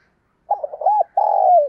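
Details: Spotted dove cooing to urge a fight: a brief run of stuttered low notes and a rounded coo, then a long sustained coo that slides downward, close and clear with no other sounds.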